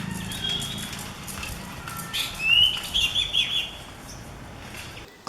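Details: Orange-headed thrush in a Gujarat forest, a flute-like song heard during April, May and June. A short series of high, sweet whistled notes comes midway through, amid background noise and faint other chirps.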